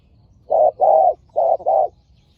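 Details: Spotted dove during lure trapping with a decoy in Thailand; two quick pairs of deep mellow coos, the second note of each pair longer.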